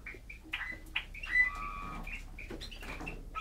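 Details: A brown pastel male Eurasian bullfinch gives a soft, halting song of short piping whistles and a few drawn-out creaky notes, over light rustling and background noise.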